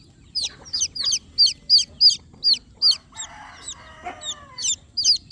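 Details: Newborn chicks give shrill, falling peeps in a rapid series; midway a lower, harsher drawn-out sound briefly overlaps before the high peeping returns.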